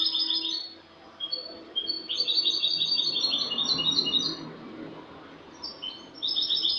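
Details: Spanish goldfinch with a clean song, recorded 08/22/2018, delivering fast liquid twitters and trills in dense rippling phrases, broken by short gaps, over a steady low background hum.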